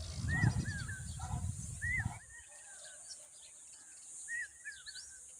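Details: Common babbler calling to protect its young: short arched, slurred notes given in quick bursts, several overlapping, with low rumbling wind or handling noise during the first two seconds.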